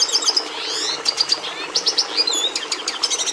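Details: Song of a Red siskin (Carduelis cucullata): high sweet twitters mixed with rising slurred notes, a brief nasal buzz and sharp chip notes, varied and lively.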